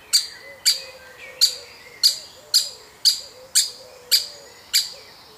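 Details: Woodpecker chick from a family being fed; a steady run of short, bright, piercing chirps, roughly two per second, over soft distant low twittering.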